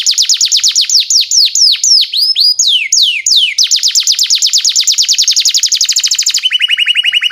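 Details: Canary song meant as a training lure for young canaries, long-duration singing: rapid strings of downward-sweeping whistled notes, shifting tours, a brief rising phrase, ending in a quick steady trill of lower chirps.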